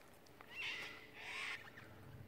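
Cockatoo giving two harsh, grating screeches, each about a third of a second long, about half a second apart, over a quiet background.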